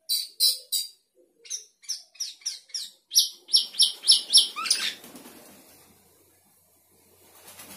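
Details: Sooty-headed bulbul singing in the lively gacor style with isian, filled-in phrases: bright, high, clipped whistles repeated about four times a second, with pauses, then a rapid run and a falling sweep before quiet rustling.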